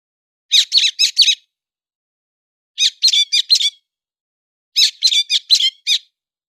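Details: Héc xoan bird singing in September 2020: three bright bursts of four to five quick, high chirped notes, each burst about two seconds apart with silence between, clean background.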